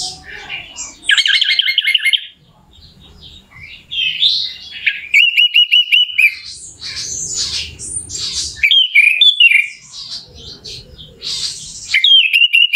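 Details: Orange-headed thrush song used as a lure to excite a bird into singing: a rich, varied medley of high whistles, buzzy trills and chattering notes, changing phrase every second or so.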